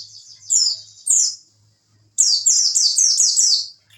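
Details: Tutor song of an oriental white-eye for training contest birds, wit wit style: a long thin high whistle, then sharp falling chirps, then a fast run of repeated high downslurred notes, over a faint low hum.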